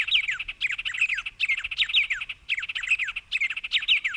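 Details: Cerrado bird song from Brazil: short bursts of high chirps and down-slurred whistles, each lasting under a second, repeated in quick succession with brief breaks between them.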